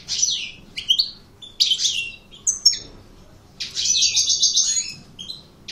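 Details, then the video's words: Aggressive coupleur European goldfinch producing bright downward-sliding chirps and twitters, followed by a longer buzzy trilled phrase of rapidly repeated high notes; calm background. "Chant maknine Chardonneret Coupleur Agressif"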